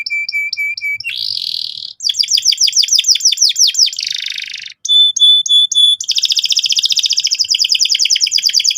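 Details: Lively canary lure song for getting young birds to sing: clipped repeated chirps, a buzzy block, a run of swooping downslurred notes, a rasping burst, then crisp paired notes and a rapid pulsing trill.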